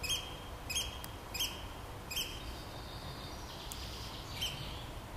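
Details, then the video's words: Eurasian oystercatcher recorded in 2015 giving shrill, piercing 'kleep' calls, about five sharp notes spaced under a second apart, over a low steady rumble of wind. "Austernfischer (mit Ruf)"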